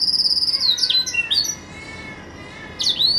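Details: Caged pet green canary at home in Jaesan singing melodiously: a thin sustained high whistle under rapid rattling notes, then sweeping downslurred whistles, a brief pause, and another bright slurred phrase.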